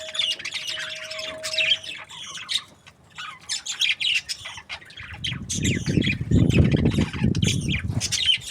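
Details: Budgerigar breeding pairs chirp and warble busily in quick, uneven high notes, while a steady hum fades early and a broad low rumble joins in the second half.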